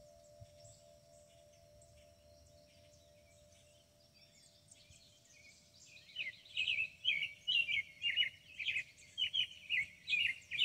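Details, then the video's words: Birds above a hackberry tree in rural Kentucky: after quiet wind noise, a lively stream of rapid twittering, warbled notes starts midway and repeats about twice a second, with a faint steady chime tone. "birds and wind chimes at Meadowstone"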